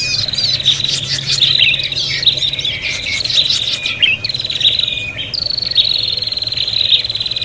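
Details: Prinia call for luring birds, noisy and fight-like: a busy run of high buzzing trills and squeaky chirps for five seconds, followed by a cleaner, steadier buzzing trill.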